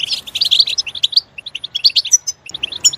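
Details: European goldfinch song given in a loud, lively rush: quick liquid twitters and chirps, a few clear higher whistled notes near the end, one short gap midway.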